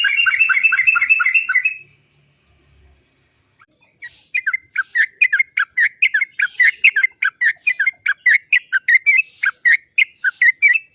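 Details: Yellow-vented bulbul (trucuk) used as a lure to start other trucuk birds singing: a dense, buzzy 'cok cok cok' roll for two seconds, a brief pause, then a long run of sharp chirping notes in quick, uneven succession.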